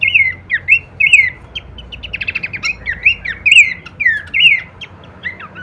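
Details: Horsfield's babbler singing kleperan variations, used as masteran for songbirds: looping whistled slurs interrupted by a fast dry rattle, then more bright curling notes, over light hiss and low rumble.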